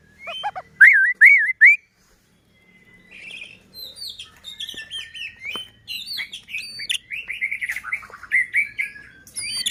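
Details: White-rumped shama in full song, used as a lure to make other shamas sing and agitate them: loud slurred whistles rising and falling near the start, a pause, then a fast run of varied chirps and trills.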